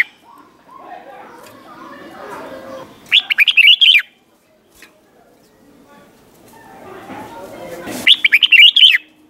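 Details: Red-whiskered bulbul, doubled-style '100 Achip' song used to teach young birds: two loud bursts of quick, rolling, chirpy notes, each under a second, with soft mixed murmuring background sounds between them.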